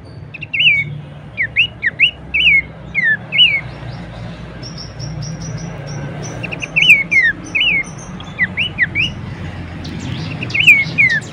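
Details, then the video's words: Bush warbler song used as a 'masteran' tutor recording: bursts of short, sharply falling whistled notes in quick runs, separated by pauses, with faint high chirps and a low background hum. "materi vokal mewah cetak jawara dengan masteran Topcerr khas burung pelanduksemak"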